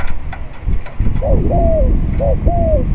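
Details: Spotted dove on a windy day during decoy luring: two clean phrases, a short arched note followed by a long level-then-falling croo, over rushing wind and a faint tap.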